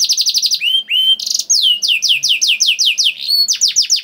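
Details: Canary delivering quick repeated whistled notes, two long slurred whistles, a buzzy burst, then a fast series of falling sweeps; intended to make other canaries sing.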